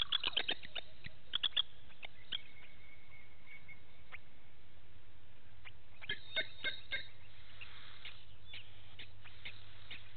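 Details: Blacksmith lapwing family with one chick at Gowrie dam waterhole, Djuma Game Reserve, Sabi Sand Wildtuin, South Africa, 06:28 on 09/08/18; a rapid burst of sharp metallic clinks, a pause, then another clinking run, over a low rumble.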